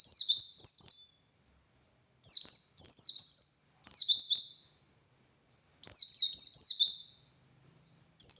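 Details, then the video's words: Four bursts of shrill, fast twittering, each made of tumbling falling notes about a second long with brief gaps. A dakun white-eye sings ngalas style as a master recording for training other white-eyes. "Masteran Suara Burung Pleci Gacor Ngalas Nembak Buka Paruh"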